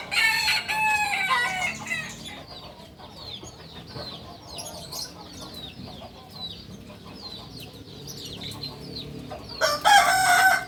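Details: Kukuak balenggek rooster, native to Solok in West Sumatra, crows with a stepped, layered phrase at the start and again at the end. Quick high chirps from small birds fill the quieter middle.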